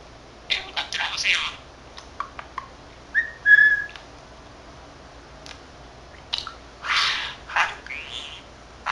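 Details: A 13-month-old male budgerigar chatters to himself in scratchy, word-like bursts (he mimics Korean, Japanese and English phrases) broken by short pauses, with one clear whistled note in the middle; the room is otherwise quiet.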